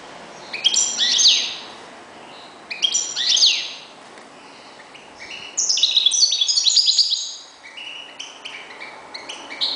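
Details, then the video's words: Kept European goldfinch, one of the owner's reclamo (decoy) birds, singing bright high twittering phrases in four bursts with tinkling and downslurred notes, separated by short pauses; faint background hiss. "jilguero.uno de mis reclamos"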